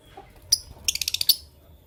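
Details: Fischer's and masked lovebirds chirping in the morning: a single sharp high chirp, then a quick run of about six shrill high-pitched chirps in under half a second.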